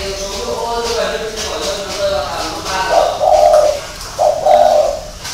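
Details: Spotted dove kept in Vietnam gives two soft, falling coo phrases in the second half, while a person talks quietly in the first half.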